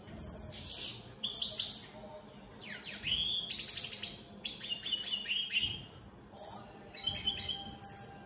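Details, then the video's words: European goldfinch of opal split satiné mutation, kept as a cage bird, in continuous song: rapid tinkling twitters, sharp down-swept slurs and buzzy trilled notes tumbling together, with a faint steady hum underneath. "Opal split Satane goldfinches siging"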